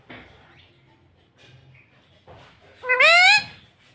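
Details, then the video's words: Talking parrot said to say mummy and papa: after soft rustles and murmurs comes one loud, buzzy, rising voice-like syllable near the end. "Talking parrot with you - bolne wala tota - mummy bolne wala tota - papa bolunga"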